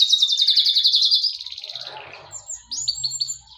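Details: Canary fully in song, finishing a fast pulsed trill that fades away, then a few bright upslurred whistled notes after a short quiet gap.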